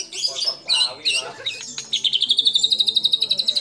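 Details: White-rumped shama in full song, its repertoire filled with imitations of sooty-headed bulbul, cililin, lovebird and canary: a few varied chirpy phrases, then a fast, even, high trill running steadily for nearly two seconds.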